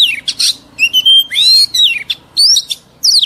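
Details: Oriental magpie-robin, an old wild-caught bird, singing scratchy notes, a long flat whistle and swooping slurred phrases in quick alternation; song played to train young birds to sing.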